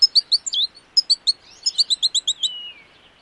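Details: American goldfinch from Wisconsin singing a rapid twittering run of high, sweet chirps in quick bursts, then a longer run of evenly spaced notes ending in a thin, drawn-out falling slur; no other sounds.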